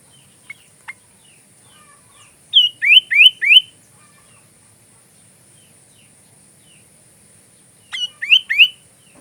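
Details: Sooty-headed bulbul singing for magpie robin training, delivering two short runs of three or four rising whistled notes, separated by several seconds of near silence.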